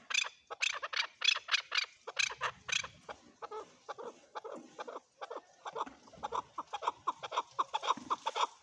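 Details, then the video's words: Male chukar voice: sharp clucking notes delivered in a rapid series, starting bright and loud, then settling into lower, softer chucks after a brief pause. "My best Male chukar sounds Male chukar calling //Male chukar voice"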